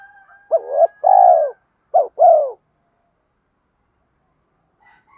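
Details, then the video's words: Spotted dove cooing to train and lure other doves: two quick phrases in a row, each a short upswept coo followed by a longer falling coo. Silence follows. "cu gáy thúc dút bổi và gáy gọi. giọng cu gáy dùng tập bổi và mồi hiệu quả nhất"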